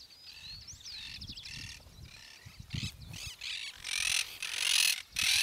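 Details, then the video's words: Yellow-headed caracara, or chimachima, recorded at Gualeguaychú, Entre Ríos, Argentina: harsh, hissing, broadband screeches come in bursts and grow louder toward the end, after an early thin, trilled whistle from another bird over low background rumble. "Yellow-headed Caracara, Chimachima (Milvago chimachima)"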